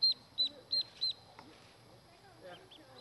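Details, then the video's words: Mallard ducklings give four high, thin peeps about three per second. Softer peeps follow over a quiet background. "Mallard Ducklings"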